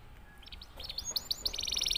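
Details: Silver canary of the snow variety singing in excited breeding condition: a few scattered high sliding notes build into a fast, even, very high rattling trill of rapid repeated notes; faint background hiss.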